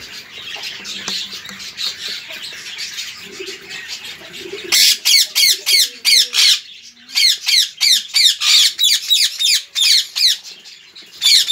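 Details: A rose-ringed parakeet pair with their chicks gives harsh, grating, high-pitched squawks, about three a second, after soft chatter at the start.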